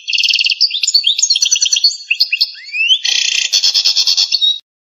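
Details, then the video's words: Algerian European goldfinch pouring out pipiniere-style campero song: a continuous, high, liquid twitter with quick trills and rising slurred whistles, ending in a dense buzzy rattle. No other sounds. "شريط تغريد القادوس بيبينيار"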